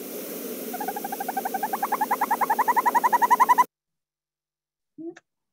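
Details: Northern hawk owl (Surnia ulula) giving its trilled call: a long, rolling trill of rapid mellow notes that grows louder and steadier for about three seconds, over a faint low hum.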